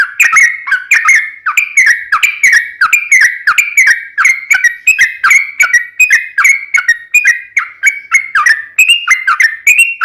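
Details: Sooty-headed bulbul's long ropel panjang song, a vigorous gacor delivery: steady, unbroken run of bubbling whistled phrases, each dipping then rising, repeated rapidly for ten seconds.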